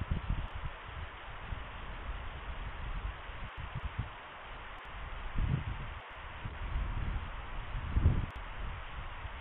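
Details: Low rumbling wind and rustling with occasional soft thumps; no animal calls are heard.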